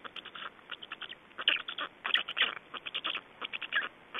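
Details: Black storks at an Estonian nest on 25 May 2012 around feeding time and an adult changeover; harsh, clipped, chattering notes pour out in quick irregular runs, some louder squawky peaks, the sound thin and band-limited.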